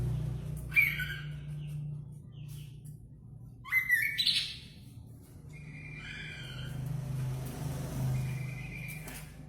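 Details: Chatty kaso-kaso bird in full song: several separate phrases of bright whistles and rough chirps, some sliding, others held flat, spaced a second or two apart over a constant low electrical hum.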